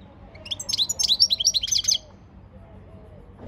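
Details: Training song of a European goldfinch: a quick series of bright, twittering chirps lasting about a second and a half, then quiet with a faint low whistling and a soft knock at the end.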